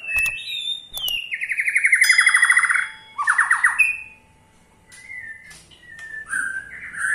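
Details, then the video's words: White-rumped shama giving its ketrekan, a call meant to get other shamas singing: clear whistled notes, then a fast buzzy rattle of about a dozen repeated chevron notes, a second shorter rattle, and closing sliding whistles. "KETREKAN SAKTI!! || MURAI BATU MANAPUN PASTI TIDA MAU DIAM IKUT GACOR"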